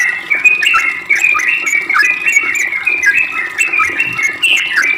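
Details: Sooty-headed bulbul in dense, unbroken ropel song used as a lure, a tumbling stream of bright overlapping whistled notes filling the whole stretch.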